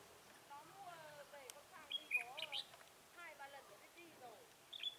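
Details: Red-whiskered bulbul being trapped with a lure bird on 10 December 2017; several quick warbled, rippling phrases, then sharp high chirps and short bright whistles, with a faint background hiss.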